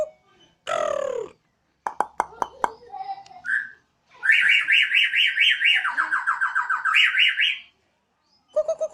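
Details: Terrace-kept Borneo white-rumped shama: a few sharp clicks and short whistled notes, then a long, loud siren-like passage of rising-and-falling trills that drop to a lower trill and climb again.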